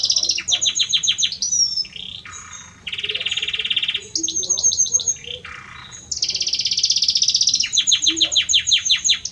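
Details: Singing male Belgian canary courting a female; fast repeated descending chirp series alternate with long buzzy rolls and lower rasping trills, high and continuous.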